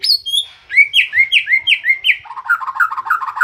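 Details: White-rumped shama, said to sing nonstop day and night, delivering a rich varied song: high whistled notes, then a run of five repeated downslurred whistles, followed by rapid lower warbled notes.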